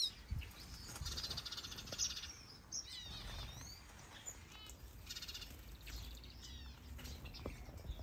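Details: Breeding birds in a big planted aviary in Denmark, with finches, softbills, canaries and java sparrows. Scattered chirps and a few rapid sweeping whistled notes come over low rumbling background noise.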